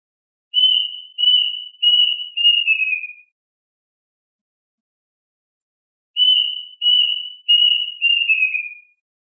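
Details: Plaintive cuckoo calling the flock, two phrases a few seconds apart, each four bright whistles with the final one bending downward; quiet gaps between.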